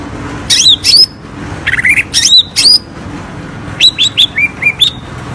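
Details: ['Greater green leafbird, juvenile trotol, singing as a lure for reluctant singers: clear high whistles and buzzy chirps, grouped in rapid clusters, then a run of short descending slurred notes near the end.']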